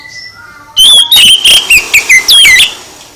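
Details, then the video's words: Oriental magpie-robin song used to provoke other birds into answering: after a quiet start, a loud burst of sharp whistled notes, slurred rising and falling phrases and scratchy chips in rapid succession. "Gak Mungkin Gak NYAUT ketika KACER ditempel dengan KICAU ini"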